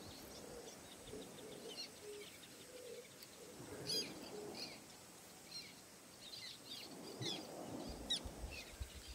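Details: Little terns on Amami Island, Japan, give sharp, high, scratchy kik notes in short bursts every second or so, over a soft, low cooing and a faint outdoor hiss.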